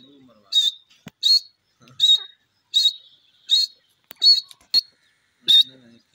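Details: Grey francolin (gora teetar) calling: sharp, high whistled notes with a harsh edge, repeated in even bursts about every 0.7 seconds. Faint clicks sound between the notes, and a low murmur is heard at the start.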